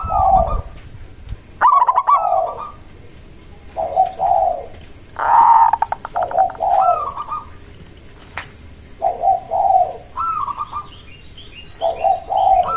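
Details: Local zebra dove used as a decoy to provoke other zebra doves into calling back; short bursts of rolling, staccato cooing phrases repeat every one to two seconds over a steady background hiss.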